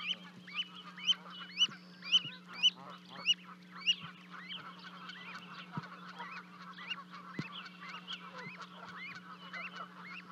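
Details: Two Canada goose goslings after leaping off a 30-foot-high osprey nest in Charlo, Montana, 12 May 2020, joining their parents; a livecam picks up loud rising peeps repeated about twice a second, then softer overlapping calls and a low hum.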